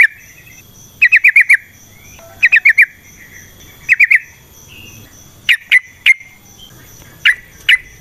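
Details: Yellow-vented bulbul (trucukan) natural song for luring other birds to sing: clusters of four to five rapid whistled chirps separated by short pauses, later spaced single sharp notes, with a faint high hum throughout.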